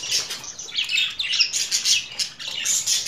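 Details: Short stretch of budgerigar warbling: fast, rising and falling squeaky chirps run together with scratchy tones, steady and unbroken.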